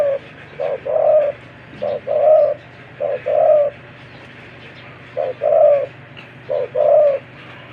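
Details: Spotted dove, a wild-caught decoy bird with a big, deep voice, cooing: two short low notes then a longer throaty coo, the phrase repeated about every 1.3 seconds with brief pauses; faint background hum.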